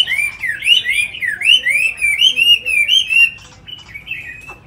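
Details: Tamed caged Chinese hwamei singing with a loud run of whistled, slurred phrases rising and falling in quick succession for about three seconds, then softer scattered notes in a quiet room.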